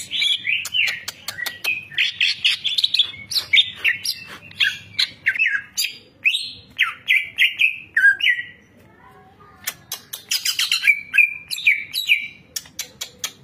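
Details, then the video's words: Champion greater green leafbird, a caged songbird in Indonesia kept as a song tutor, sings a long, varied run of whistled, slurred phrases and rapid chirps, with a brief pause before a dense burst of sharp notes resumes. "Masteran Cucak Ijo Full Isian Burung Juara"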